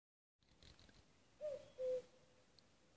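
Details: A common cuckoo in Nuuksio, Finland, on 6 May 2015 gives one clear, hollow two-note cu-coo, the second note slightly lower, against a faint background hiss.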